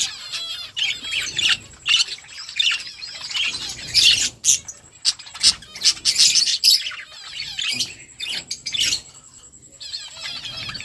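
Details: Feeding flock of budgerigars in continuous chatter, rapid scratchy warbling and high chirps in bursts, with short quieter gaps between louder outbursts.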